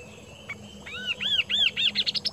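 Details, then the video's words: Indonesian kaso-kaso bird in full song: after a soft lead-in note, clear arched whistles repeat, quickening and rising into a rapid run of short high notes, over low background noise. "BURUNG KASO KASO GACOR"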